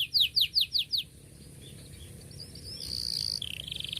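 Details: Canary song meant for teaching young canaries: a quick series of five descending chip notes, then a quiet gap before a high rolled trill rises and continues to the end over steady low background hiss.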